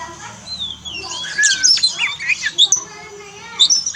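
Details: Oriental magpie-robin song intended to train a kept bird that has gone quiet after moulting: high thin whistles and scratchy twittering notes in short bursts, with a soft hum underneath.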